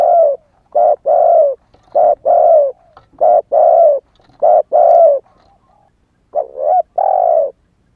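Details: Lure spotted dove, a young captive bird that has just started cooing, wild plumage unmoulted: series of deep hoarse coo pairs, brief note then a drawn-out one, with a short pause before the final phrase.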